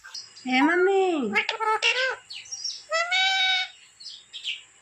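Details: Talking pet parrot giving a drawn-out, swooping speech-like phrase, then clipped word-like syllables and a bright nasal utterance, with small chirps in between.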